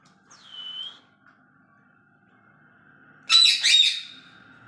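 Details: Hand-tamed pet green ring-necked parakeet: a short clear whistled note near the start, then silence broken by a faint steady hum, and two loud harsh squawking bursts close together late in the recording.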